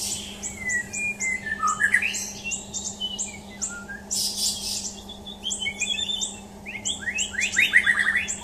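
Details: ['White-rumped shama, described as a champion, mixing rows of thin high chirps with a few sliding whistles and a closing flurry of rapid rising notes, plus brief noisy bursts and a low hum.']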